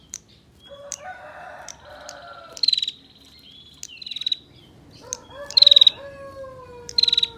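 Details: Female bar-winged prinia giving a long-running ngetir call meant to lure males into calling: short, fast buzzy bursts of high ticks, each about a third of a second, repeated every second or two, over lower drawn-out crowing-like calls in the background.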